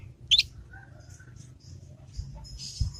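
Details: A young Yorkshire canary's 'ngriwik' practice, recorded to tutor other canaries: a loud rising chirp opens, followed by quiet scattered notes and a burst of buzzy high twitter at the end over low room hum.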